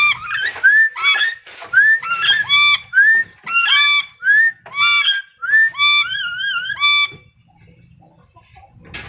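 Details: Black-capped lory calling in a loud series of harsh, honking whistled notes, each bending upward, given about once a second before the calls stop and a quiet background remains.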